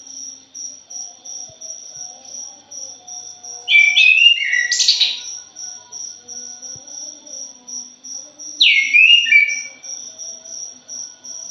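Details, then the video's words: Two bursts of quick, scratchy, tumbling notes from a thrush, each lasting about a second and spread across mid to high pitch. A steady, high pulsed insect chirp repeats several times a second throughout. "PANCINGAN PUNGLOR JALI JOSS....\ JALIMIN BRISIK"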